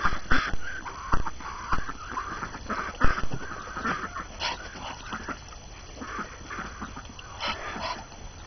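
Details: Domestic ducks on a January morning after the first snow of the new year, hungry and tired of being cooped up, chattering; irregular nasal quacks and short calls come a few per second, with low rumbling background noise.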